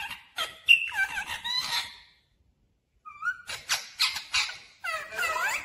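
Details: Indoor talking parrot that speaks 'mummy papa' chatters in rapid clicks, squeaks and short warbled syllables, pauses about a second, then resumes with quick squeaky, speech-like notes.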